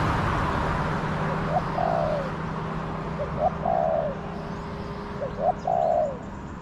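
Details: Spotted dove in the wild with a small voice, answering a decoy in a garden during trapping. Three low cooing phrases come in about 6 seconds, each of quick short notes and then a drawn-out falling coo, with faint background noise.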